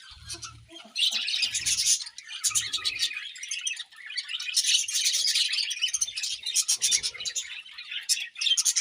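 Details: Several budgerigars chirp while feeding in the morning, a busy stream of rapid high twitters and warbles, with soft low thumps early on.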